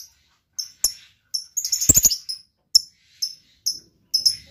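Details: Lovebird in a luxurious singing style giving short, thin, high chirps at irregular half-second gaps, with one brief rattling burst of rapid notes in the middle.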